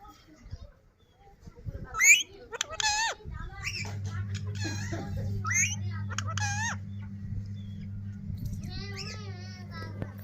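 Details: Pet yellow lemon-coloured parrot talking in Urdu and Hindi at home: short squeaky, speech-like bursts and chirps with rising and falling pitch, loudest near two seconds, over a steady low electrical hum.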